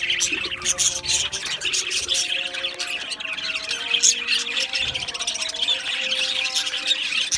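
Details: Australian budgerigar colony in an aviary, many birds chirping and warbling at once in a constant high, twittering babble with sharp squawks, over faint sustained low tones.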